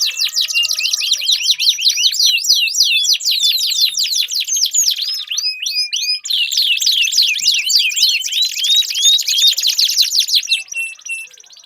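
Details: Canary song to prompt a silent canary: rapid high trills and swooping notes, a short break near the middle, then a rolling buzzy trill returns and fades slightly at the end.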